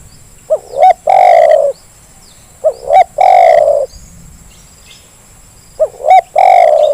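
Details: Lure recording of a zebra dove for birds that will not call: three phrases of paired short rising coos leading into a long loud coo, evenly spaced, with a high constant hum.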